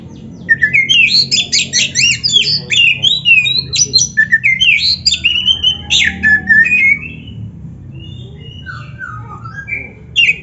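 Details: Energetic Oriental magpie-robin song recorded for training young or reluctant magpie-robins: a dense seven-second stream of whistles, chips and slurred notes, then only scattered soft phrases, with constant low hum behind.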